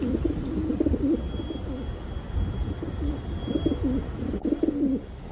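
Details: Pigeon cooing in low, soft, rolling phrases, several short bursts repeated across the recording, over a steady rumbling background noise and a faint thin high tone.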